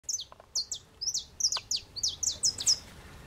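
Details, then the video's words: Saffron finch, known locally as canarinho-da-terra, singing in an aroeira tree in Brazil: a run of high, sharp chirped notes with short downward slurs, delivered in quick bursts of two or three across the stretch. "Canarinho terra Amarelo na Aroeira cantando"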